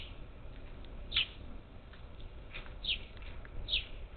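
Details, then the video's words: Several parakeets visiting a Gulf Coast feeder outside Houston, Texas, 27 July 2021: three bright descending chirps, each roughly a second apart, with faint soft ticks between them and low rumbling background. "Ten Parakeets at the bird feeder cam"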